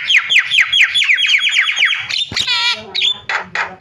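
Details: Starling calling as a lure to make other starlings call: a fast run of repeated downslurred whistled notes, then harsh, buzzy, ringing squawks with a brief clatter.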